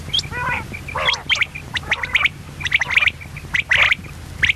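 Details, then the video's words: Female common quail giving harsh, squawky, chattering notes at an uneven pace, several bursts per second at times, over a low background hum. "quailsound effect.batair ki Awaz.Звук самки перепела.صدای بلدرچین.صوت السمان"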